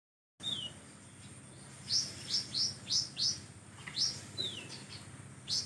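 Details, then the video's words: Oriental magpie-robin singing in a lively song filled with 'kapas tembak' imitations: sharp high whistled notes, some slurring down and others flicking up, about eight in quick succession after a short silence, over steady background hiss. "konin gacor isian kapas tembak"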